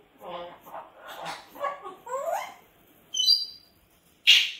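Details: Pet Grey parrot, described by its owner as crying out: a run of nasal, harmonic chattering notes, some rising, then a high thin whistle and a sudden loud harsh screech at the end.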